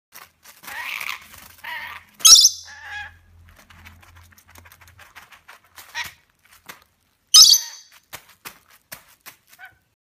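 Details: Baby lorikeets at play give harsh, buzzy chatter and two sharp, high screeches, with scattered clicks and scratchy notes between.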